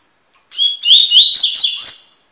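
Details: Double-collared seedeater in tui-tui song style for tutoring: one continuous, bright phrase opening with a steady whistle, then a rush of rising slurs and sharp chirps, fading after about two seconds, with nothing else audible.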